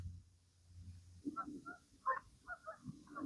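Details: A Red-bellied Woodpecker gives a quick run of short, rolling mid-pitched notes over a low background rumble at Chambers Lake, Chester County, Pennsylvania; it sounds very close but stays hidden in the trees, where the species is abundant.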